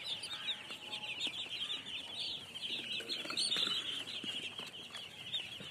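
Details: Loud chorus of baby chicks, high piping peeps tumbling over one another without a break, growing busier around the middle.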